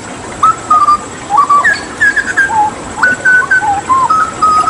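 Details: Hooded butcherbird, endemic to Papua and known for imitating other birds, delivering pure flute-like whistles, held notes linked by quick upward and downward slides, in a clean melodic sequence.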